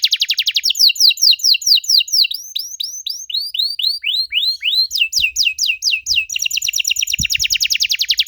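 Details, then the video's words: Song of a canary played to draw young canaries into answering, starting with a rapid high trill, moving into looping slurred whistles, then fast repeated chips and another dense trill. "Kenari Muda pasti nyaut kalo denger suara aneh kenari ini"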